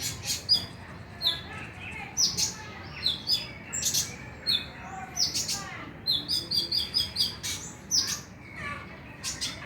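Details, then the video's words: Konin lure recording to stimulate singing at night: a long, lively sequence of sharp high chirps and short trills, repeated in quick bursts roughly every half second, steady throughout. "PANCINGAN KONIN AGAR BUNYI MALAM HARI"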